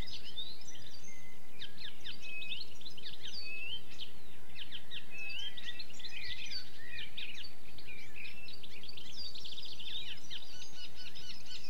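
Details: European goldfinch singing among other birds: a dense, fast stream of tinkling, twittering and buzzy high notes runs almost without pause, with overlapping chirps from other birds and a low steady background rumble.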